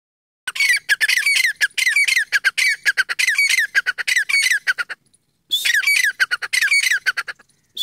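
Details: Partridges recorded in the wild in India, heard as rapid, harsh squawking notes packed into dense bursts, with a brief pause near the five-second mark before the chattering resumes just as loudly.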